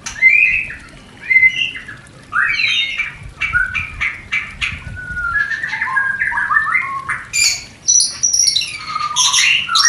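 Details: White-rumped shama mating song meant to stimulate breeding desire in new, not-yet-producing pairs: varied whistles and sharp clicking notes, then jumbled high chattering and fluty phrases toward the end.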